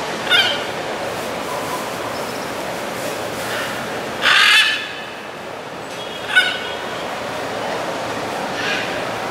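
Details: Blue-and-yellow macaws in the Los Palos Grandes neighbourhood of Caracas, Venezuela, on 21 July 2012 give a few harsh, raspy squawks, spaced irregularly over several seconds, against a steady hiss of background noise.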